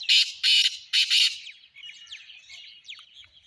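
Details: Black francolin call from 29 January 2024, opening with four rasping, broad, strident notes in quick succession, the middle pair nearly joined, followed by a fading trail of thin chirps from other birds.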